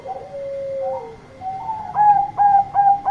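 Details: Zebra dove of the Bangkok type in full loud song calling companions: low rolling coos and a sliding note, followed by four crisp, evenly spaced staccato coos, with a thin constant tone behind.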